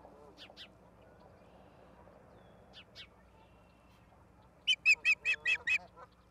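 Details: Osprey calling at Charlo, Montana, 11 September 2023 at 16:04: two faint paired chirps, then a loud burst of six rapid, shrill whistled notes near the end, with low murmuring calls in the background.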